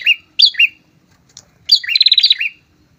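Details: A pair of prinias gives sharp, high chirping notes, then a rapid trill of about ten notes lasting under a second; no other sounds.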